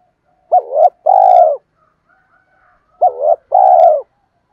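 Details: Spotted dove call meant to incite other doves to fight, from male or female birds; two matching phrases of low coos, a bending rising note then a sustained drawn coo, about two seconds apart.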